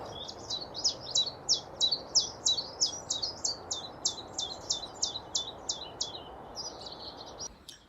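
Common chiffchaff song: a steady run of about twenty high, two-toned chiff-chaff notes, roughly two or three a second, over a low background hum.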